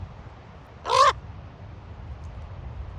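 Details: Raven at Ocean Beach, San Francisco, giving one slightly rising, throaty croak in the middle, softer and more nasal, against a low background rumble.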